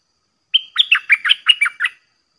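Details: Decoy caged red-whiskered bulbul, 'dok taeng' style, calling against wild bulbuls that come down to fight; one quick phrase opens with a clear whistled note, then a tumbling series of about seven loud chirpy syllables.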